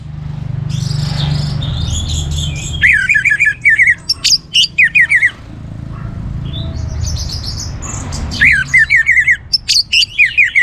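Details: Orange-headed thrush kept as a cage bird, sung to stimulate other birds to sing: bursts of fast, rich warbling phrases alternating with pauses, mixed with buzzy notes and a low background hum.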